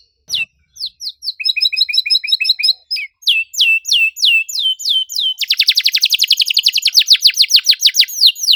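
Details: Canary kept as a singing bird, delivering varied phrases: separate chirps, a rapid double-noted trill, then a dense buzzy rattle of quick downward sweeps, high-pitched with no other sounds.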